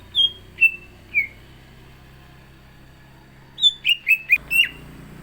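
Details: Orange-spotted bulbul (cucak ijo) singing in full voice before a contest: three spaced, falling whistles, a pause, then a quicker run of five slurred whistled notes dropping in pitch.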